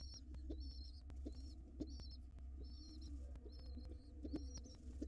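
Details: Wild pigeon chicks getting a late feed before dark: sharp, high squeaky chirps in short clusters about every half second to second, over low hum, rustling and occasional soft knocks.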